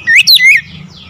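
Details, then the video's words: Oriental magpie-robin song used to prompt silent or lazy birds to answer: a short burst of clear whistled notes sliding up and down between middle and high pitch, lasting under a second, over a faint low hum. "KACER BISU MALAS BUNYI PASTI LANGSUNG NYAUT"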